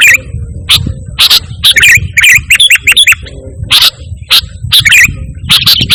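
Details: Sooty-headed bulbul from Indonesia singing actively without mimicked phrases, a recording used to call and tutor pet birds; loud bursts of sharp chirps and short warbled phrases come in clusters with brief silent gaps and a faint low rumble.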